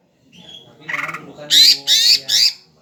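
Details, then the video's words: Greater green leafbird, described as very tame, singing actively. A scratchy trill is followed by three loud, harsh, broadband squawks in quick succession, about half a second apart, over a low background hum. "cucakhijau gacor"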